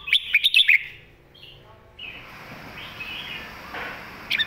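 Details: Red-whiskered bulbul master song used for teaching young birds: a quick cluster of bright chirped notes in the first second, then fainter warbled phrases and a soft hiss to the end.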